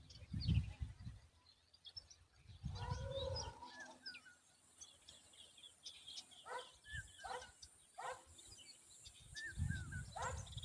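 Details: Common babbler calling noisily to protect its young; a series of short, harsh, repeated chattering notes builds up in the middle and later part, with low rumbling noise at the start and end.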